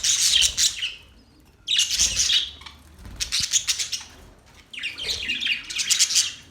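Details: Budgies produce four separate bouts of fast, raspy high warbling, each about a second long, with near silence in between and a single click midway.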